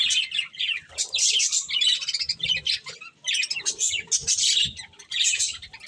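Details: Budgerigars eating corn give lively, uneven chirping: clusters of high tweets and scratchy warbles rising and falling in loudness, with quieter gaps and faint feeding sounds at low pitch.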